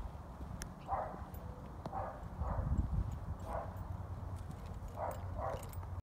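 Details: Two adult roadrunners near their baby make unusual noises while distracting a cat to keep it away from the young bird, recorded at dusk. Short knocking bursts repeat every half second to a second over a low background rumble.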